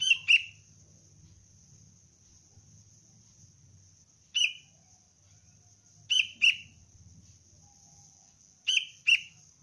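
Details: Young sooty-headed bulbul chick calling, trained as a lure bird: short paired chirps repeated in bursts about every two seconds, each a quick downward note, over a faint steady high hiss.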